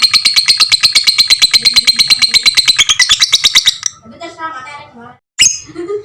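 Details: Fighter lovebird giving a long 'ngekek' chatter, used as a master recording for training all types of lovebirds; a fast, harsh, high-pitched train of repeated notes, about eight per second, for nearly four seconds, followed by human speech.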